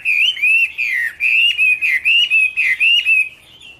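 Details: Chinese hwamei (Garrulax canorus) singing: a loud run of rich whistled phrases around the same pitch, each slurred up and down, given in quick bursts about four per second for over three seconds, then fading out.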